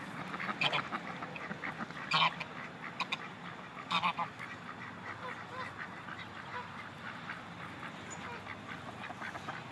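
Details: Geese and ducks calling together; loud nasal honks stand out near the start, around two seconds and four seconds, over a steady background of quieter quacking and chatter from the flock.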